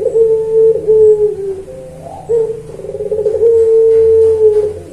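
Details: Puter pelung dove singing in a training recording: long, low, drawn-out coos with a brief rolling burble between them, repeating over several seconds.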